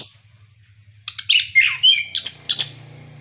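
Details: Brief orange-headed thrush song, played to spur captive birds into singing: after a low hum, a quick sequence of slurred whistles, a clear rising note and sharp chirps.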